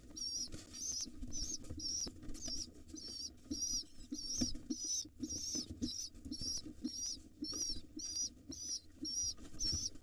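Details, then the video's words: Wild rock pigeon chicks beg for food from their father inside a nest box: regular, high, wavering squeaks about twice a second, with faint shuffling and patter below. "Overly excited, cute and hungry pigeon nestlings get fed by their Dad."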